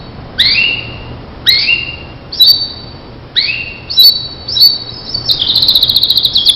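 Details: Starblue canary for training other canaries: spaced downward-slurred whistled notes about once a second, then a fast steady trill.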